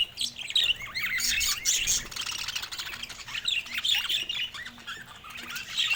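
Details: Budgerigar chick's first calls, a steady mix of rising whistled chirps and raspy squawks chattering without pause.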